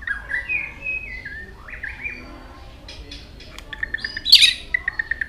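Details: White-rumped shama singing varied notes while flicking its tail: soft slurred whistles early, then a loud harsh burst followed by a row of short sharp notes repeated rapidly.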